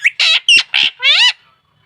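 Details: Talking pet parrot saying "mummy" and "papa": four harsh, voice-like syllables in quick succession, the last one drawn out and rising, then silence.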